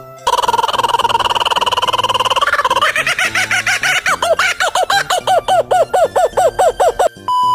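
Kookaburra laugh: a rolling, chuckling trill that breaks into loud, rapid hoo-hoo-ha notes rising and falling several times a second; a brief tone ends it.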